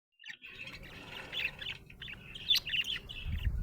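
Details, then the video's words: Budgerigar described as happy, chirping in a continuous run of warbled, buzzy notes with scattered sharp clicks and squeaks, rising in loudness toward the end, with a low rumble underneath at the close. "Happy budgie chirping sound"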